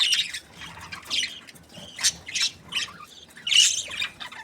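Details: Happy budgerigars, kept as breeding pairs, make short harsh squawky chirps in separate bursts roughly every half second, with a louder squeaky burst near the end.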